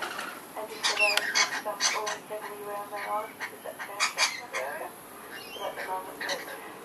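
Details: Several young lorikeets at play on a garden feeding visit in March 2011 give rough, grating screeches in short clumps, with quieter gaps between, over a man's steady speech.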